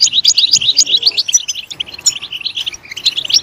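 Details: Goldfinch singing in short bursts of bright, high chirps and buzzy twitters, separated by brief pauses.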